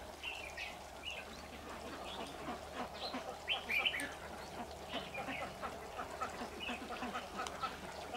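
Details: Lure red-whiskered bulbul in a trap, 26 September 2019, giving scattered short whistled and chirping notes, strongest around the middle, with a hiss of background noise and faint clicks throughout.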